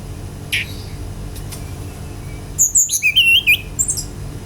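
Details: An isolated note, then a quick burst of high whistled and chattering notes near the end, sung by a lively Brown-chested jungle flycatcher to draw song from other birds.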